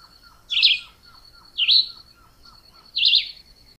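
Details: Chivi vireo singing three short, warbled high phrases about a second apart, over a steady thin insect whine and faint repeated lower chips.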